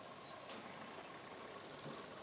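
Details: High-pitched, shivering trill from a Waxwing in the Ural region, strongest in the final second and lasting about half a second, with a faint earlier high note and a steady hiss throughout.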